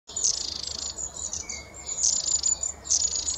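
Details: Long-tailed tits in autumn or winter give very high, thin 'see-see' calls mixed with buzzy, rolling bursts, about three in quick succession, with a soft lower trill between them.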